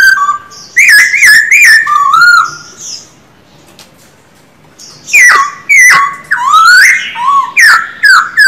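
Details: Caged male silver-eared laughingthrush in daily voice training, styles called bắt cô trói cột and kéo thuốc lào: loud slurred whistles falling and rising, with rapid chattering notes, a pause near mid-clip, then a longer rich whistled run.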